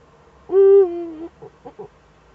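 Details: Female Eurasian eagle-owl recorded on 22 October 2014, giving one loud, deep hoot that starts strongly and then sinks slightly lower, followed by three soft, short, gruff notes.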